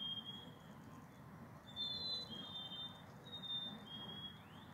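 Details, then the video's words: Black-capped chickadees in a group answering one another with clear, sweet whistles, each phrase a higher note dropping to a lower one, over constant low-pitched background noise. "Group of black capped chickadees singing"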